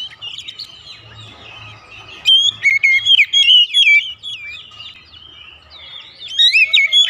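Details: Lure song from an oriental magpie-robin for house-kept birds, with a soft murmuring start, then a lively run of slurred whistles and sharp notes, pausing before a final short flourish.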